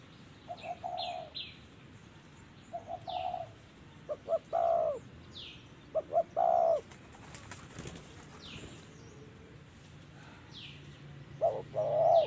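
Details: Wild spotted dove singing in the 'thổ' voice style at a decoy trapping site. Several low hollow coo phrases come in short bursts, with loud paired notes near the middle and end. Thin, high, down-slurred whistles from other birds sound behind.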